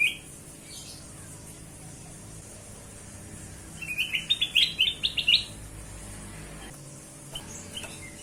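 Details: Kutilang emas (bulbul) used as a lure for other birds, giving one short burst of quick, bright chirping notes lasting about a second and a half, mid-clip, against a quiet background of low hum and faint hiss.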